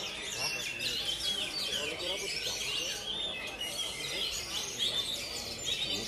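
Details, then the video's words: Three Oriental magpie-robins dueling at a training session sing together in a dense, unbroken stream of bright, varied whistles and chattering phrases, with faint background noise. "DUEL KACER"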